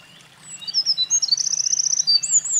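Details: Loud song of a Eurasian wren that had been carrying nest material at a mountain pass in late April 2024. Soft high whistles lead into a sustained, rapid, metallic trill and sharp closing notes.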